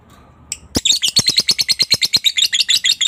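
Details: Lovebird chatter used as a lure to stimulate other lovebirds to ngekek; a sudden start into a fast, evenly pulsed, shrill rattle of sharp chirping notes that continues to the end.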